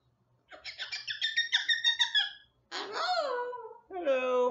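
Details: Bubba, a rescued Moluccan cockatoo at a sanctuary, gives a rapid run of nasal squawking notes, then two harsh, rising-and-falling rasping screeches, the loud "murder bird" screech said to reach 126 decibels.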